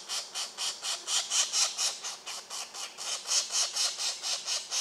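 Pileated Woodpecker: a rapid, steady series of harsh, hissy, rasping notes, three to four a second, high-pitched and scratchy. No other clear sounds.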